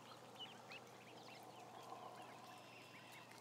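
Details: Ducklings in a group of about a thousand give bright, curving high peeps, several each second and irregularly spaced, over a low steady hum.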